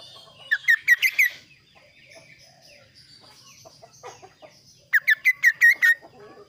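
Two bursts of five or six quick, sharp chirping notes, high and bright, separated by a few seconds of soft, scratchy twittering.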